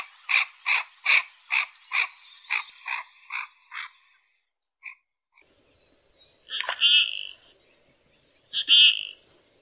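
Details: Common goldeneye calling: a run of harsh, rasping notes fading in loudness over four seconds, then two louder, buzzy, higher calls about two seconds apart after a short pause.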